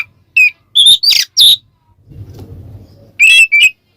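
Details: Oriental magpie-robin in ngeplong style, a lure for other magpie-robins: a few loud whistled notes and buzzy bursts, then a stretch of low murmuring noise before two more whistles.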